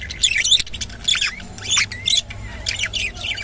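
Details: Rainbow budgerigar letting out several short, harsh squawks and downward-sliding chirps in quick succession.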